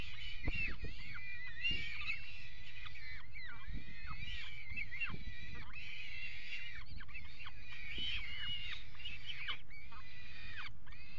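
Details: Peregrine falcons at a nest box on a water tower, mating on the box edge, recorded 5 February 2018; repeated harsh, chattering calls with downward-bending notes, continuous through the clip, over steady low rumble.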